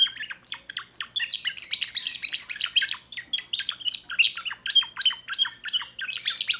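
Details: Timbrado canary, a young bird of 2024 with a new repertoire, singing a steady stream of rapid chirped and trilled notes, several per second, with no pause.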